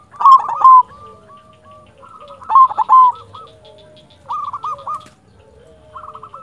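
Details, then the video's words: Silver zebra dove of a local strain, a keen singer, gives loud rough stuttered phrases that break into trailing strings of soft hooked coos; a lower, drawn-out cooing line sounds in the background. "Perkutut silver gacor Jagonya Mengundang Bunyi"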